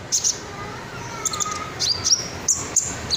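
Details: Red sunbird, a caged songbird kept as a tutor for other songbirds, giving short high thin chirps and sharp ticks in irregular bursts, with a faint steady background hum.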